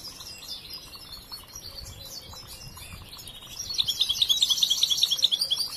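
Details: European goldfinch, a young bird still working on its song, with soft background twitter that swells into a loud quick series of bright repeated high notes and tinkling trills.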